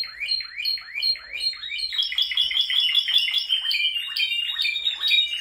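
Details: Male Spanish Timbrado canary song opening with slow repeated swooping chirps, about three per second, then accelerating into a rapid rolling trill with ringing metallic notes.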